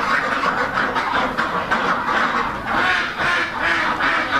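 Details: Rouen ducks, a heavy, mallard-coloured farm breed kept as a breeder flock for purebred hatching eggs, quacking together in a dense, overlapping chorus of harsh calls that swells and fades in waves.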